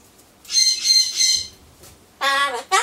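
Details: Solomons corella at home, waiting for pumpkin: a hissy rasping drawn sound lasting about a second, a pause, then a loud nasal word-like call.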